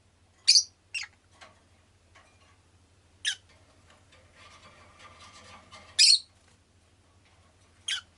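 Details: A rosy-faced lovebird (Agapornis roseicollis) gives sharp, shrill, high-pitched squeaks in short bursts a few seconds apart, with faint soft chatter between them, a low steady hum, and possible city traffic noise.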